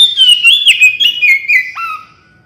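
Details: Energetic Oriental magpie-robin (kacer) song for prompting birds to respond: a quick chain of clear, varied whistles with sharp upward flicks, closing on a lower falling note, then silence.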